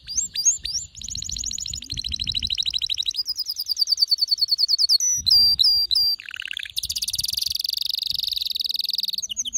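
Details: Male canary in excited full song: rapid chirps, then fast repeated trills that shift pitch, a series of sharp down-slurred whistles, a low buzzy phrase and a long dense rattling roll.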